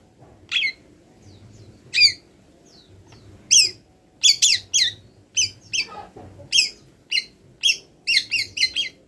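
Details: Moulting long-tailed shrike singing imitations of wild birds. Isolated clear high whistled notes open the song, then quicken into a steady run of crisp chips nearly twice a second, with a brief lower scratchy slur near the middle.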